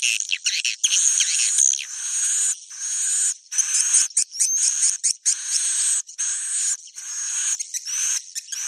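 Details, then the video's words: Swiftlets in a dense, high chorus of buzzy chirps and thin whistles, in bursts of one to two seconds with short gaps, used as a roosting-call lure for a swiftlet house. "suara inap burung walet bikin betah di RBW"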